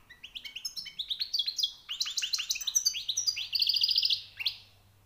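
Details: European goldfinch, a fresh catch, with continuous quick twittering song that builds into a fast rattling trill of repeated high notes, then ends with a single chirp.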